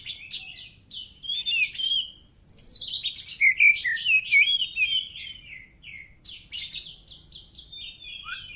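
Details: Oriental magpie-robin song meant to get other birds answering: quick mixed chirps and twitters, a bright rising whistle midway, then a jumble of slurred notes fading into softer phrases.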